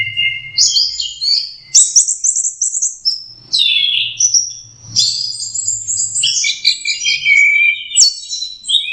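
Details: A juvenile orange-headed thrush learns to sing, stringing together bright whistled notes, sweeping slurs and chattering trills in uneven bursts over about nine seconds, with a low background drone.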